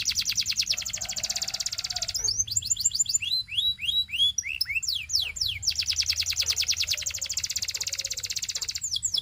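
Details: Belgian canary singing: a fast, even high trill of rapid repeated notes, then a run of sweeping downslurred whistles and buzzy phrases, returning to a long rattling trill with another brief swept phrase at the end.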